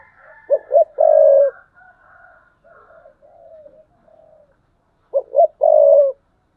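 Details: Spotted dove used as a decoy, cooing thúc bổi style in 2022. Two phrases about five seconds apart each give two clipped low notes, then a long coo, with soft murmuring tones and faint whistles between.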